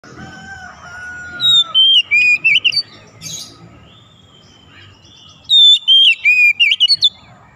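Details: Oriental magpie-robin (kacer) singing in gacor style, used to stimulate a silent bird into song: two bursts of loud, clear whistled notes, falling and rising, about three per second, over a faint low rumble.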